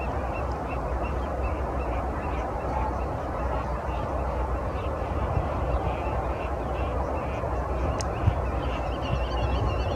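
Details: Common shelduck calling at Landje van Geijsel in the Netherlands, April 2020; short honking notes follow one another in an uneven run, fairly faint beneath a constant deep background roar, with an occasional click.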